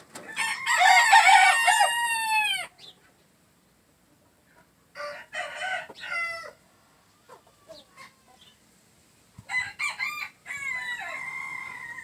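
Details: A green-legged red gamefowl rooster gives one loud, harsh crow lasting over two seconds; two shorter, quieter bursts of calling follow after pauses.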